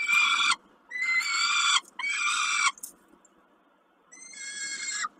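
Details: Peregrine falcon at Kawęczyn on 20.05.22, calling during a snack: loud, drawn-out harmonic wails in four bursts of about half a second to a second, separated by short pauses, over faint background hiss.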